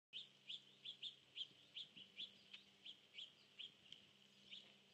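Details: Cedar waxwing at its nest tree, 19 September 2014, giving thin, high, lisping notes, about three each second, with a faint low hum underneath.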